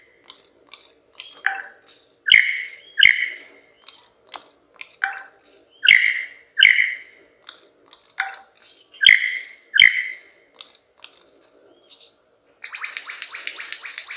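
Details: Superb lyrebird in Australian forest singing to attract females, a complex song of loud ringing whistled notes repeated roughly every second, with softer chirps between them and a buzzy rasping passage at the end.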